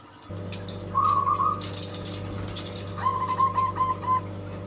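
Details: A young caged zebra dove, under a month in its keeper's care, gives two short bursts of soft, rapid, trilled cooing notes, the second longer, over a steady low electrical hum.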